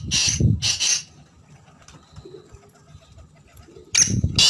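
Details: Black francolin giving harsh, rasping notes, two at the start and two more near the end, separated by a quiet gap with low rumbling background noise.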